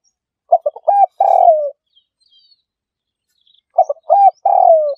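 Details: Spotted dove played as a trapping lure gives two phrases: clipped low coos build into a long downward-sliding coo. Soft high chirps of other birds sound in the gap between phrases.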